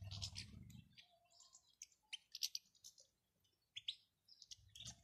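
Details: European goldfinch male and female calls, played to stimulate a male to sing: scattered high, bright chirps and short twittering notes in irregular bursts, with a low rumbling background noise at the start and end.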